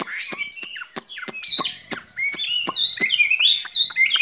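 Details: Skylark kept in a cage sings a spring song. Sharp clicking notes mix with bright whistles, and the song builds into a steady, high warbling chatter by the end.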